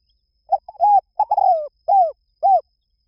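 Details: Single phrase from a spotted dove: soft low coos run together into a longer descending note, followed by two evenly spaced, rounded coos at the end. Quiet background.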